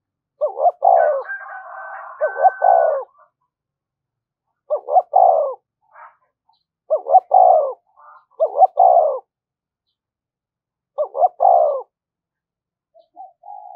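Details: Spotted dove repeatedly giving its urging coo for stirring decoy birds: five phrases of clipped notes ending in falling coos, irregularly spaced, with a higher whistled tone over the first and soft murmurs near the end.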